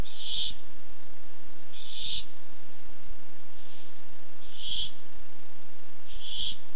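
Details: Barn owl looking for food, filmed 8-7-15 on a barn owl nest camera: five harsh, hissing screech bursts about a second and a half apart, one of them softer, over a low steady background hum.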